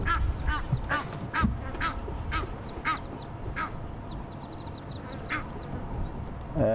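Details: Egyptian geese with six goslings make a racket at sunset on safari, chasing off two marabou storks: harsh, hoarse honks about every half second, a fast thin twittering series midway, low engine or wind rumble beneath.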